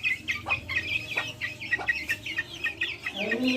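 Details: Backyard chickens making noise: a busy, overlapping chatter of high chirps and short clucks against a soft low rumble, with a low wavering note entering near the end.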